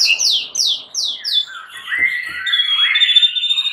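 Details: Agitated fighter white-rumped shamas answering each other. Five quick downward-slurred notes come in a row, then a run of lower, sliding, warbled whistles with a high thin tone above.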